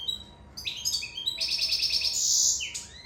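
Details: Sicilian goldfinch in love, singing a fast run of liquid chirps that merges into a long, rapid buzzy trill, then ends in a downward slurred note.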